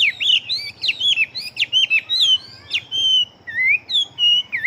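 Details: Fast-singing fighting Chinese hwamei with a big build: a continuous loud stream of clear whistled notes, sharply sliding up and down, some long level whistles and quick sweeping slurs, delivered almost without break.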